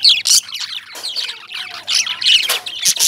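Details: Short loud squawks and shrill chirps from Indian lovebirds, coming in quick bursts over a softer, continuous chatter.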